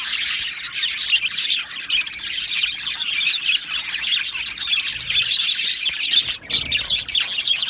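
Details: Aviary flock of Australian budgerigars, 12 July 2025, giving a steady wall of shrill chirping and warbling from many birds, with brief squeaky squawks and a short dip in the noise near the end.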